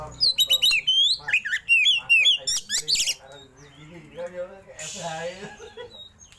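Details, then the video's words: Oriental magpie-robin song, delivered in rolling, shooting style with tail opened: quick clear whistles and sweeping rising notes for about three seconds, followed by softer lower twittering and a brief hiss. "KACER ROLL TEMBAK BUKA EKOR"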